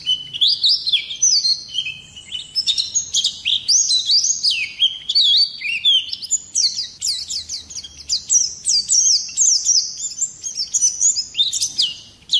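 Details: Oriental white-eye (pleci) singing a long rolling, harshly delivered song used to goad other birds into singing; rapid high-pitched twittering notes sweeping up and down, nearly continuous with only brief breaks.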